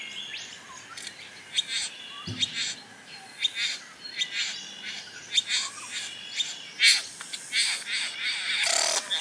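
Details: Courting satin bowerbird giving a rapid series of short, dry, crackling clicks and buzzes that come in uneven bursts throughout, with faint chirps behind.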